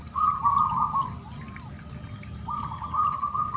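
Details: Zebra dove (perkutut anggunan) song meant to test and provoke other doves into singing: two mellow, rolling, trilled coo phrases, each about a second long, separated by a short pause, over a low steady rumble with faint high chirps.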